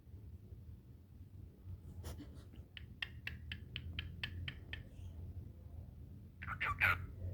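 A cockatiel gives a short, bright chirp after a run of soft clicking sounds, with a person speaking nearby.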